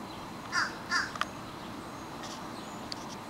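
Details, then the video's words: Bird singing in summer 2012 in trees outside an apartment building in Wilkes-Barre, Pennsylvania: two harsh, hoarse notes in quick succession, then quiet, with faint clicks and soft higher notes over steady background hiss. "A Bird's Song"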